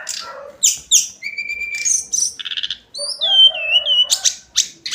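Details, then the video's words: Tledekan gunung, the hill blue flycatcher, in daily song: scratchy high notes, a level whistle, a brief trill, then sweet falling and wavering whistles with chips between. "Kicauan harian Tledekan gunung"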